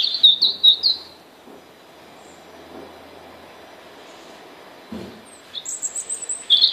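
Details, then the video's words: A European robin sings thin, high, twittering phrases, then pauses before a higher, sweeter phrase; a soft thud and faint low rumble fill the gap. "Κοκκινολαιμης. Robin Singing"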